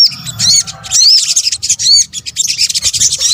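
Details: Sunbird (sogok ontong) lure calls: fast, high, thin chirps and upslurred whistles in a continuous chatter.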